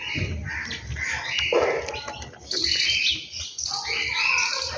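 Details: Morning bird calls around a home, with bursts of high, bright chirping and short twittering phrases that grow louder partway through, set against steady low background noise.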